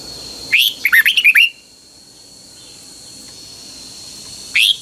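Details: Thai caged red-whiskered bulbul (Pa La-u) in its double song style: a burst of about six quick, sweet warbled whistles lasting about a second, a long quiet pause with steady hum, then the next phrase beginning.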